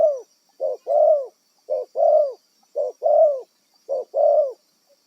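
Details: Spotted dove, a wild bird used as a trapping decoy. It gives steady, mellow two-part coos, a clipped note and then a longer arched one. The phrase repeats four times, roughly once a second, against a quiet background.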